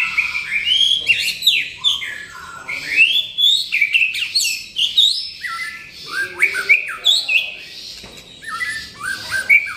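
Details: Energetic white-rumped shama song (gacor), rich and varied: rapid rising and falling whistles, slurred trills and chattering phrases in dense bursts with short pauses between.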